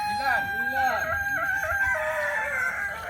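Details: Kokok Balenggek rooster of Solok, West Sumatra, crowing in a drawn-out line that drops and rises in distinct steps. Lower arched clucks sound beneath it.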